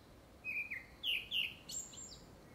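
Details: A grey-backed thrush gives part of a courtship song, probably for a second breeding, with three loud downslurred whistles and then a thin, high ringing note.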